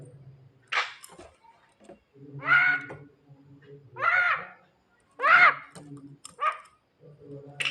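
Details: Javan myna singing at night to call its female mate: loud, harsh, buzzy phrases with rich harmonics, several in eight seconds, separated by short quiet spells over a steady low hum.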